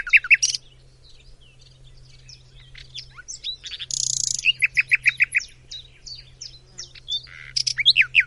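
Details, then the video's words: Macedonian nightingale song with loud sharp opening notes, a quieter stretch of soft chips, a brief noisy burst, then a rapid run of repeated descending whistles and further trills. "BILBIL - Nightingale"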